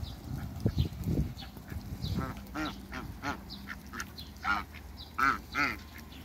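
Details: African geese kept in a backyard alongside Muscovy ducks: a run of harsh, nasal honks with rich harmonics, coming in uneven bursts, the loudest few near the end, while small birds chirp faintly in the background.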